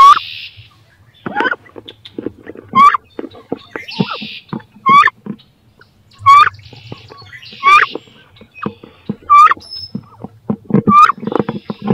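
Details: Two wood duck females struggle over a nest box, both intent on laying and incubating; upward-sweeping squeals repeat every second or so across twelve seconds amid steady scratching, thumping and scuffling.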